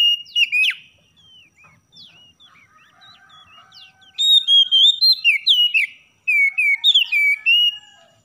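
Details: Oriental magpie-robin song recorded in the morning as a master song to stir lazy birds into singing: loud bursts of sweet, slurred whistles and rapid chirps, pausing between phrases while faint soft twitters continue beneath.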